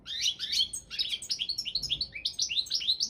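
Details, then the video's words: European goldfinch of the Balkan subspecies Carduelis carduelis balcanica, entered in a world championship of goldfinch song. It gives a fast run of bright, twittering, high notes, rising and falling chirps packed tightly together over three seconds, with no other clear sounds. "Pesma štiglića"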